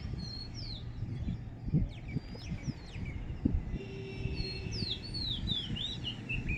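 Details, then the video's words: Morning song of a small bird: scattered high whistled notes early, then a quick descending series of sharp chirps, mixed with low knocks and a steady hum. "Amazing bird's sound in the morning."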